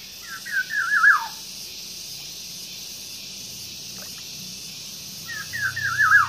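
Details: Nine-day-old green pigeon nestlings, hand-fed in the morning, give short bursts of thin, wavering squeaks, rising and falling quickly, at the start and end, over a steady background hiss.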